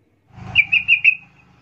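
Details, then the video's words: Sooty-headed bulbul call used to provoke replies from other bulbuls: four quick clear notes in a short run, the last one slightly longer, over a low steady hum. "10 macam suara panggilan trucukan gacor PALING AMPUH BIKIN LANGSUNG NYAUT RIBUT trucuk lain"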